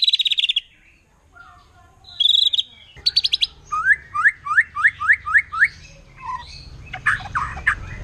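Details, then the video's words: Wild forest white-rumped shama in 'nembak' song that riles other shamas: a buzzy high burst, scattered chirps, then a steady run of rising whistled slurs at around four per second, with faint rumble behind. "Murai Batu Hutan Kalau udah Nembak Bikin Emosi Burung Murai Lain"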